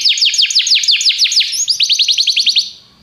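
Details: Canary singing a quick run of sweeping downslurred notes, about seven per second, bright and high, fading out at the end; used to encourage other canaries to sing.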